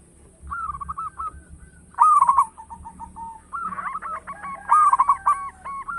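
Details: Zebra dove of a local strain with a big voice, used for luring: soft rolling coos, then loud stuttering bursts of rapid notes, overlapping cooing from other doves in the background.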